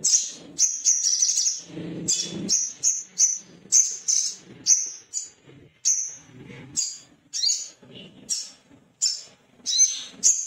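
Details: Excited male Little spiderhunter looking for a rival. It produces rapid, penetrating high chit notes, at first in a dense volley and then in evenly spaced single chips, over soft low knocks.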